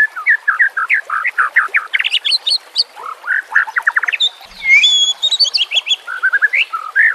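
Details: White-rumped shama in vigorous full song, a training recording with a background of flowing water: rapid strings of short slurred notes, a brief pure high whistle mid-way, and chattering runs throughout.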